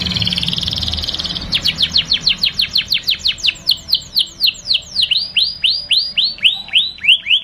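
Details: Canary lure song for young canaries to learn, opening with a steady high buzzy note, then a long series of sharp downslurred chirps that gradually slow and broaden into looping whistled notes about three per second.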